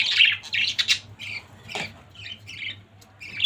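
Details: Several budgerigars in a family group give scratchy, high chirps and short squawks in uneven bursts, loudest at the start and fading to scattered calls.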